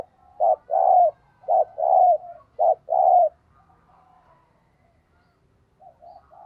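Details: Thúc gù cooing from a decoy spotted dove: three quick pairs of soft, throaty coos, each a short note then a longer rounded one, followed by quiet distant coos.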